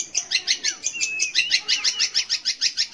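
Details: Song of a long-tailed shrike, known locally as cendet or pentet, meant as a lure to get young or non-singing shrikes singing; steady run of high, sharp pulsed notes, roughly five a second, with a few slurred whistles woven in.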